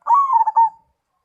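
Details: Short zebra dove cooing phrase of a few rapid, slightly descending notes, clear and mid-pitched against silence.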